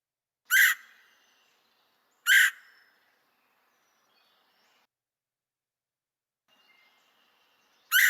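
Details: Red-headed Woodpecker, mainly a summer resident in DuPage County, gives loud, harsh single calls, two about two seconds apart and a third after a long pause; faint thin whistles from other birds between.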